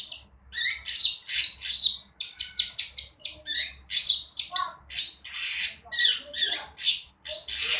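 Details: Young long-tailed shrike learning to sing: loud, harsh, scratchy notes in quick bursts, broad and noisy with a few squeaky accents, about two to three a second.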